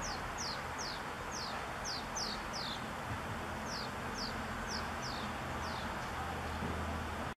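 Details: Common swifts (Apus apus) on 3 August 2020, two young fledging from a nest box followed by an adult, give shrill, thin downslurred screams, about a dozen in seven seconds, over steady traffic or wind noise.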